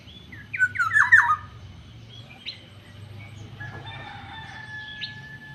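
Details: Black-naped oriole, described as yellow-headed and fierce, giving a quick run of four or five harsh, nasal, slurred notes that drop in pitch, followed by a few thin whistles and a long faint tone over a low background hum.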